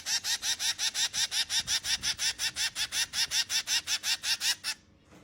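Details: Finch chicks begging: a steady run of harsh, buzzy, rasping notes, about three to four per second, evenly spaced and loud, stopping abruptly near the end.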